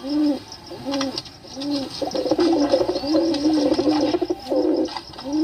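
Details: Pigeons cooing, low arched coos repeated about once a second, several birds overlapping in the middle, with a soft hiss behind.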